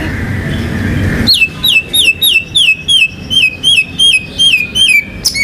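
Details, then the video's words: Murai batu, the white-rumped shama, a contest champion singing full isian material: a rapid even string of clear downslurred whistled notes, about three per second, after a second of low background hum. "MURAI BATU GACOR MANCING BURUNG LAIN BUNYI‼️ MATERI ISIAN NGEROL NEMBAK IRAMA LAGU LENGKAP ISTIMEWA"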